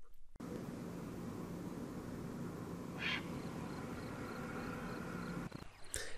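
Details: Grey heron giving a single harsh, brief, rasping croak, the call it mostly gives in flight, rising out of a steady low background hum and rumble.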